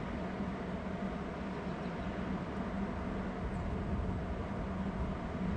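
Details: Loud continuous low rumble with a steady hum, like a running engine, and no animal voice.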